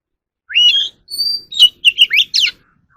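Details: Song of a caged Oriental magpie-robin, used to train other birds' voices. An upslurred whistle leads into a sustained high note, then a rapid string of varied chirps and sweeping whistles. The background is quiet.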